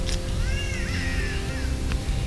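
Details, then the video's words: A catbird gives a drawn-out, wavering, cat-like wail over a second long, rising then falling, at an overnight camp in thick bushland on the mid NSW north coast, Australia, over soft background music and a low rumble. "Love the Catbird call"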